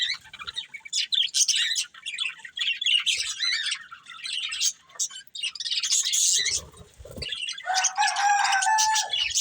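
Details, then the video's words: Budgerigar breeding pair chirping as they eat, giving rapid, scratchy warbled chatter in irregular bursts with short pauses, ending with a lower, sustained harmonic call. "Beautiful Budgies Chirping Sounds"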